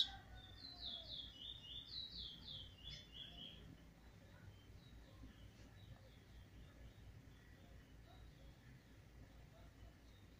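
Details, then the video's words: Trinidad bullfinch, a young brown bird beginning to sing alone, recorded 7 November 2019: a brief run of sweet descending whistled slurs in the first three seconds, then near silence with low background hum. "Trini bullfinch Brown bird now start voicing a bringing teeture alone"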